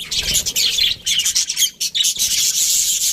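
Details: Budgerigars kept in an aviary twitter busily: high, buzzy chirps in short clusters broken by brief gaps, then a steady, unbroken wash of chatter from many birds.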